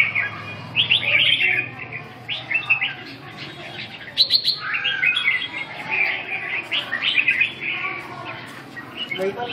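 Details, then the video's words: Red-whiskered bulbul practising its song in a session dated 2/6/2012: lively chirpy warbling phrases in quick clusters, several sharp clicks, and a steady low hum underneath. "dợt cm"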